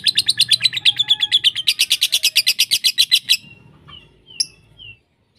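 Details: Lovebird chatter compiled as a lure for tutoring pet lovebirds: a rapid run of about twenty shrill, pulsing notes for three seconds, ending in a few soft whistled slurs and a squeak.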